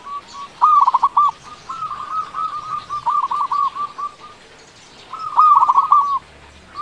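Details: Loud local zebra dove, a frequent singer, used as a lure to prompt quiet or slow-to-sing doves into singing. Three bursts of rapid, stuttering cooing notes at a steady mid pitch; the middle phrase runs longest. Faint background hiss.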